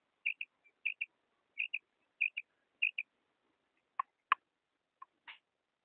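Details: Calls of a female quail, used by hunters in Pakistan to draw in quail: crisp high two-note chirps repeated steadily about every 0.6 seconds, followed by a few sharp clicks and rasping notes.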